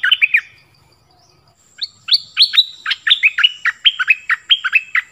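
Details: Training song for young birds to copy, also played to excite birds: a brief chirpy phrase, a pause, then a longer stream of bright rising and falling whistled notes, with a thin steady high tone behind.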